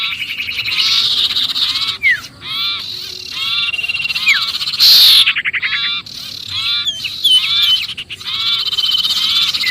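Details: Trapped-sounding sirpu distress calls used as a lure for other birds: dense bursts of raspy, buzzy notes repeated quickly, broken by brief pauses, with curved whistled slurs between bursts and one loud hissing burst midway.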